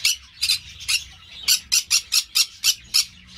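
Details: Green-cheeked parakeet (Pyrrhura molinae) from an amateur breeding aviary, giving harsh, screechy squawks. About ten short, evenly spaced bursts come in quick succession over a few seconds.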